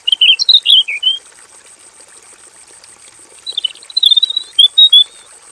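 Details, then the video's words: Robin singing vigorously in a basic aviary: a rapid tumbling warble opens, a pause follows, then a string of quick whistled notes and slurs, all above a constant high hiss. "KICAU SUARA MASTERAN BURUNG ROBIN GACOR FULL VARIASI DI KANDANG AVIARY SEDERHANA"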